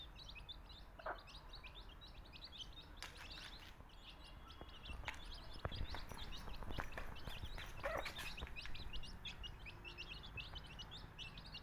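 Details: Native chicken chicks chirping nonstop, a dense chorus of shrill little peeps, while occasional clicks, knocks and handling clatter break through a constant low hum.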